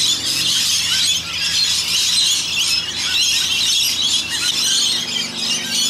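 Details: About 100 rainbow lorikeets come and go while bathing in a rain gutter, screeching without pause: a dense wash of shrill, harsh chattering with sharp squeals over it.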